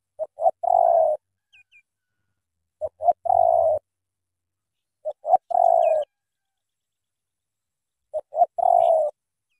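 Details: Spotted dove in Cà Mau, Vietnam, repeating its thổ tơ cooing phrase four times at roughly two-and-a-half-second intervals. Each phrase is two quick clipped notes rising into one long, steady, low coo.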